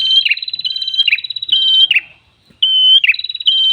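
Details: Red-headed tailorbird in full, drawn-out song for attracting other birds: fluttering high whistled phrases ending in falling slurs, a short gap, then a clean sustained whistle and more phrases.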